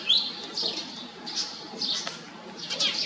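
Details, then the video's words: Pied fantail producing high, harsh squeaky notes in small clusters roughly every half second to second, over a low steady hiss. "นกอีแพรดแถบอกดำ (Pied fantail)"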